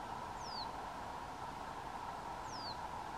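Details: Reed bunting in Store Mosse National Park, southern Sweden, in July 2023, giving two thin, high, down-slurred 'tseeu' calls about two seconds apart over a steady background hiss and low hum.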